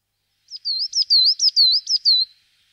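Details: Coal tit song: a rapid, high, ringing phrase of about six to seven repeated rising-and-falling whistled notes, delivered in under two seconds against a silent background.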